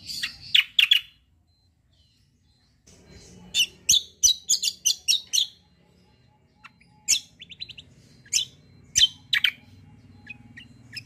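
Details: 'Kombo' song of a vigorous 'fighter' white-eye, suited for training other songbirds: bursts of loud sharp chirps in rapid series, a short pause, then more chattering runs and scattered high thin notes.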